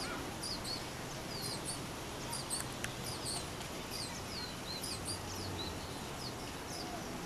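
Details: Lesser goldfinch (Spinus psaltria), recorded 4 June 2020 in Manizales, Colombia, gives a high, thin run of quick twittering and slurred notes, partly buried in steady broadband hiss and a low rumble.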